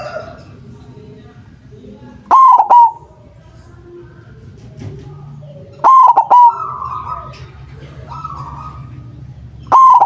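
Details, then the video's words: White zebra dove with a big voice, used as a lure for trapping doves: loud, clipped coo phrases near the same pitch, each of three or four quick notes, repeated about every three and a half seconds over a faint background hum. "Perkutut putih suara besar sangat ampuh buat pancingan, malas bunyi langsung nyaut"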